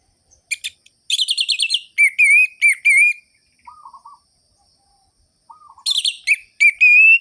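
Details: Orange-headed thrush in full ngerol-ngeplong song, used as a lure to rouse sluggish birds: bursts of sharp rhythmic whistled notes, rapid trills, then a soft low rolling phrase repeated twice within pauses before loud whistles resume.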